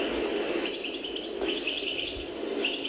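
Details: An old cassette recording, possibly from the 1970s, of a European goldfinch from the El Biar region of Algiers, Algeria, singing a rambling, tinkling stream of high twittering notes and trills over a steady tape hiss.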